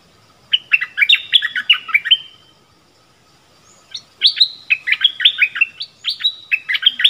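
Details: Caged streak-eared bulbul used as a decoy to attract wild birds, January 2021: two lively phrases of tumbling, chirpy notes, each run about two seconds long, with a quiet gap between them.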